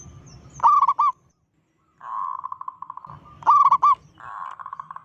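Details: Local zebra dove with a big voice, giving a call meant to panic other zebra doves. Two bursts of hooked, overtone-rich coos are each followed by a long, steady pulsed trill, with low rumbling noise underneath.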